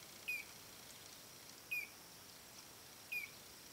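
A collared crescentchest gives three short, high, slightly falling notes, about one every second and a half, over a faint steady hiss.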